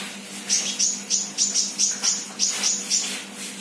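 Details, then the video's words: Actively singing untrained sunbird repeats a crisp, very high chip about three times a second, roughly nine evenly spaced notes, above a faint steady hum. "Burung kolibri bahan Gacor"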